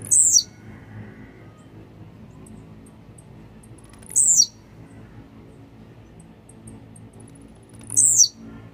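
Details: Blue-black grassquit, described as a warmed-up, grumpy bird, giving three short, very high, buzzy descending song phrases spaced about four seconds apart over a faint low hum.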